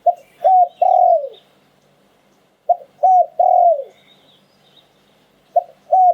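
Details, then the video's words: Spotted dove singing, a "liu tan" style phrase: a quick pair of low coos followed by a drawn-out downward-sliding coo, repeated three times at roughly three-second gaps, faint small-bird twitters in the background. "หลิ่วตัน คารม นกมงคล เสียงนกเขาใหญ่"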